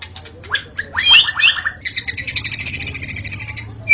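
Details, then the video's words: Forest recording of a white-rumped shama delivering sharp rising notes, a loud slurred flourish, then a long fast rattling trill of evenly repeated high notes lasting about two seconds. "Murai Batu Auto Gacor: Simak Suara Asli di Hutan yang Memikat"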